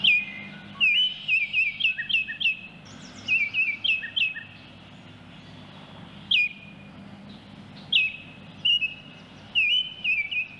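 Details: Baltimore oriole song, recorded in nature. Clear, flute-like whistled notes come in rhythmic phrases of four to six, each note slurring down and then up. Quieter pauses separate the phrases, with faint background noise.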